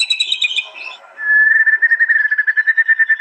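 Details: Shama song from an East Java contest master track, phone-recorded, in 'tembakan' style: a short chattering burst, a pause, then one clear whistled note repeated rapidly and evenly about eight times per second.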